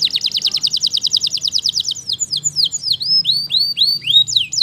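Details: Waterslager canary song beginning with a quick rattle of sharp descending notes that gradually slows into spaced, curving whistled slurs, some doubled, with a soft low hum in the background.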